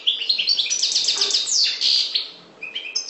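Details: European goldfinch of the parva subspecies from the Maghreb singing a rapid, tinkling twitter of high chirps and trills, a fast jumble of notes that pauses briefly before resuming with short bright phrases.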